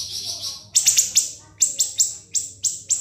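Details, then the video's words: Siri-siri singing for cage-bird training: an opening buzzy high trill, then clusters of piercing downslurred shots, three or four at a time, separated by short pauses. "MASTERAN BURUNG SIRI-SIRI NGEBREN SUPER PEDAS TEMBAKAN TAJAM & SUPER PANJANG"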